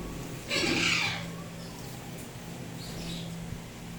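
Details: Single rough, moderately loud squawk early on from a pet Indian ringneck parrot in turquoise blue or harlequin colour, followed by faint calls and a low hum.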